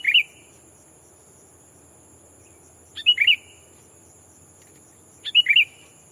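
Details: Decoy sooty-headed bulbul calling to draw in wild rivals: three brief, bright, tumbling chirp bursts spaced about two and a half seconds apart, a faint click before each, with a constant high-pitched insect hum behind.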